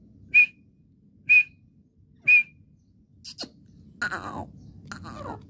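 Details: Partridge voice: three crisp, high single notes spaced about a second apart, followed by clicks and a muffled rustling, knocking disturbance.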